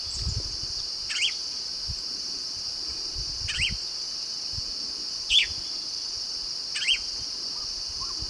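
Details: Yellow-rumped marshbird of marshes: short, sharp calls that rise and fall, given about every one and a half to two seconds, four in all, over a steady high insect drone.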